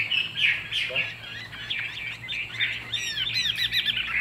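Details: Fig-leaf-tailed Chinese hwamei in a cage, praised for its singing, pours out fast, jumbled whistles and trills, with quiet human voices audible beneath.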